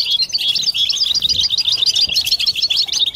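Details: Loud group twittering of European goldfinches, a 'batbata' chorus used to spur mating song; crisp, rapid chirps and warbled notes repeat in quick overlapping bursts for three seconds.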